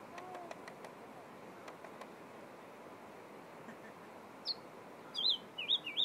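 A nightingale breaks in near the end with loud, sharply inflected whistled notes in quick succession, after several seconds of steady background hiss and faint clicks.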